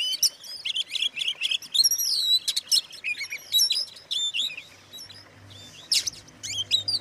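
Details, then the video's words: Provocation song of an Oriental magpie-robin: varied whistled phrases and scratchy notes pour out, then thin out into sparse single chirps and one harsh burst, over a faint low hum. "suara kacer buat pancingan kacer lain emosi"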